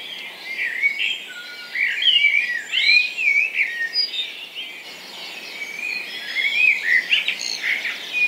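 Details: A common blackbird sings mellow, warbling phrases in a garden dawn chorus in Hampshire, UK, on 3 May, with robin, dunnock and wren adding higher tumbling song, and carrion crow and woodpigeon also heard.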